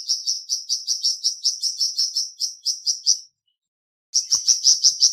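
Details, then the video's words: Flamboyan bird singing a three-second run of fast, high chirps, then falling silent for about a second before a second burst with faint low thumps. "Terapi Cepat Bikin Burung Flamboyan Buka Paruh dan Gacor"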